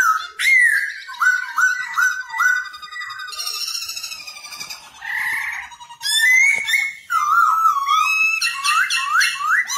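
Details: Black-throated laughingthrush in song while dancing, kept to train young birds: a run of four repeated upslurred whistles, then a harsh buzzy rattling passage, followed by loud varied warbles and chattering notes.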